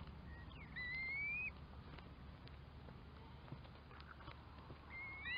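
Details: Curlew calling: rising whistled notes sliding upward, one near the start and another at the end, over a steady low rumble of background noise.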